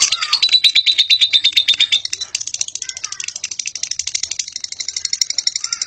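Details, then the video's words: Lovebird in a long chattering ngekek song, opening with a clear whistled note over the chatter, then a fast, even stream of high, buzzy pulses. "suara burung lovebird ngekek panjang"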